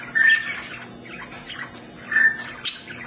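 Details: Lola, a male pet African grey parrot, talks in two short bursts of whistled, speech-like sounds about two seconds apart, saying things like "smart", over a faint low hum.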